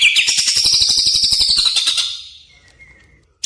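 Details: Greater green leafbird lure and tutoring sound for caged birds: a quick, regular chatter of about four notes per second, shrill and high-pitched, dying away after two seconds into a soft thin whistle.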